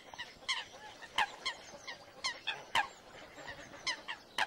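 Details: American coots fighting over territory and mates at Floating Island Lake, Yellowstone National Park, trade short, nasal, honking calls in irregular bursts, a few each second, as several birds call back and forth over a quiet background.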